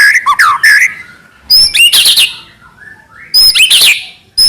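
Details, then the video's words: White-rumped shama, a lure bird for making other shamas sing, delivering slurred whistled phrases, loud harsh chattering bursts and a faint rising whistle between phrases. "murai batu gacor AMPUH buat PANCINGAN murai batu agar bunyi"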